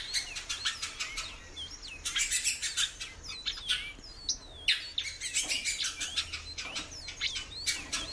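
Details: Frequent calling from a caged female great-billed seed-finch: thin rising and falling whistled notes scattered among repeated loud scratchy noise bursts.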